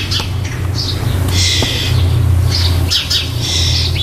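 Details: Starling nestlings in a nest box, near fledging, 4 May 2014; hoarse hissing begging bursts and short squawks in fast irregular succession over a low steady hum.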